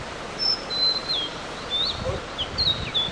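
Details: Live recording of a wild blue-and-white flycatcher singing a series of clear, high, thin whistles, some flat and some sliding downward, spaced about half a second apart over a soft hiss.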